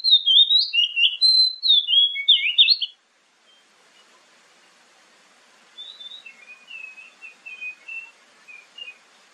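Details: Oriental magpie-robin (kacer) lure song for morning and evening: a loud burst of varied whistles and chattering notes for about three seconds, then silence and a fainter, more distant series of short whistled phrases over light background hiss.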